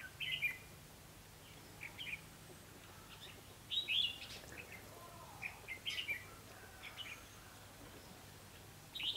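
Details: Trapping decoy red-whiskered bulbul, 28 October 2016, delivering sharp whistled phrases every couple of seconds, each of two to four quick notes, with soft background noise.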